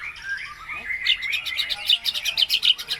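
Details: White-rumped shama singing as a lure to get other birds to sing, its song full of imitated notes of other birds: faint warbling at first, then loud rapid clicks and sharp chirps repeated in quick bursts.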